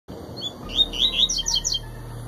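A Double-collared Seedeater gives a quick, high twittering phrase of bright, slurred notes lasting about a second, over a faint low hum.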